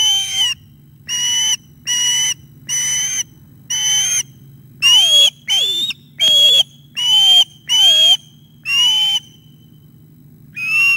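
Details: Osprey calling at the nest as fish is delivered and a youngster attacks the father, 11:37 am, 9 August 2021; a rapid run of about twelve piercing whistled notes, some dropping steeply in pitch, steady hum behind.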